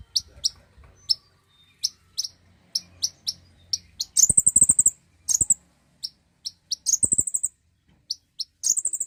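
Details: Common iora song used to provoke singing: spaced single high chirps interrupted by several loud buzzy high trills lasting about half a second each.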